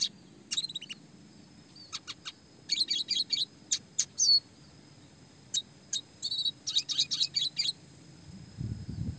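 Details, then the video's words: Classic red siskin chirping song for training small fighter songbirds, clear-voiced: clusters of high, rapid twitters and sharp chirps separated by short pauses, with a faint low hum and a burst of noise at the end. "red siskin gacor suara jernih roll tembak speed rapat"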